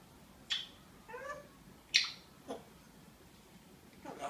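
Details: A female African grey parrot indoors, trying to open a door, scolds it with "Hey" and calls it with "kom" (come). Short sharp clicks are followed by a rising, harmonic, voice-like phrase, then another sharp click and a few softer bursts.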